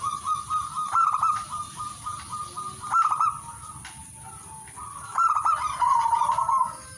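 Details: Zebra dove song of repeated rippling coos, some phrases drawn out into a longer trilled run near the end, with steady background hiss.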